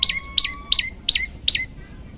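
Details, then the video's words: {'caption': 'Five ringing, sharply falling notes from an olive-backed tailorbird at roughly three per second, over a faint steady whistle-like tone, from a master recording for bird training.'} "masteran burung prenjak lumut variasi"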